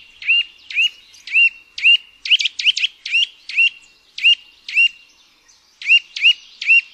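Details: Eurasian nuthatch (Sitta europaea), call.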